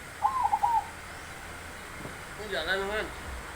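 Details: A single tremulous, rolling coo phrase from a zebra dove with a big voice, followed by a brief human voice in the background.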